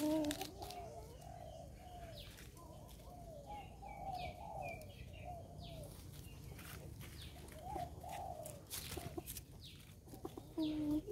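Australasian swamphen giving a run of nasal, wavering mid-pitched honks, some rising then falling, with rustling and flapping sounds between calls.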